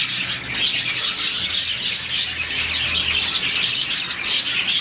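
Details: Morning chirping of a roughly 40-strong budgerigar colony, a sound of happy birds; fast overlapping chirps and squeaks with sharp louder accents, a faint low hum in the background.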